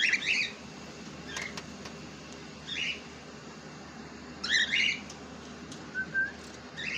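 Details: Pet cockatiel heard at moderate distance, giving a few spaced, rough chirps and a short flat whistle over a constant low background hiss.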